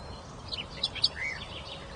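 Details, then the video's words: Birds chirp softly in a few high, thin twitters and one brief rising-falling whistle, with quiet steady background noise underneath. "Birds Chirping"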